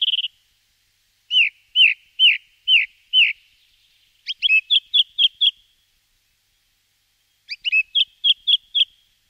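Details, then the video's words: Song thrush singing: a short clear whistle, then a slurred whistled phrase repeated five times, followed by a sharper, chippy phrase repeated about six times in quick succession. After a pause, a similar chippy phrase returns. Clean recording without background noise. "Певчий дрозд Turdus philomelos"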